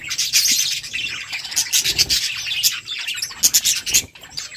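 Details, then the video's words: Continuous high twittering and warbling from a flock of budgerigars as they eat, with many birds calling at once and small rubbing or scratching noises beneath. "Beautiful budgies flocks birds chirping sounds budgie eating"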